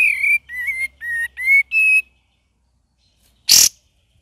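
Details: Cream-vented bulbul singing a vigorous gacor variation: five clear whistled notes in a rapid row, each slightly rising or level with bright overtones, then a pause and a single harsh click-like burst.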